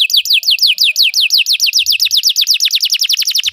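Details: Belgian canary singing to train pet canaries: even, rhythmic rows of sharp downslurred high notes, roughly six per second, growing slightly quicker before stopping abruptly.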